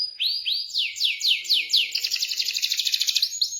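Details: Rolling canary song used to coax a canary that has stopped singing: a run of upward-sweeping whistles, about five each second, breaking into a fast continuous rolled trill.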